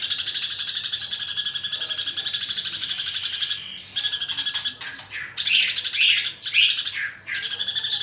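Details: Greater green leafbird (cucak ijo) in the full 'greja tarung' (fighting) style, used as master song for training: a continuous, dense, high buzzy chatter of rapid repeated notes, broken by short pauses and a few rising whistled slurs near the end.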